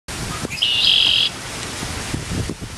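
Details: A male red-winged blackbird gives one distinctive 'conk-la-reeee' song: a short opening note, then a harsh, buzzy trill held for under a second, over a quiet outdoor background.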